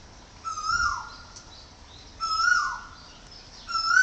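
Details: Woodpecker at a home in Chonburi Province, Thailand, gives three calls, roughly one every one and a half seconds. Each is a rising note that tips over and slides down, ringing and slightly harsh, with a faint low thump early on.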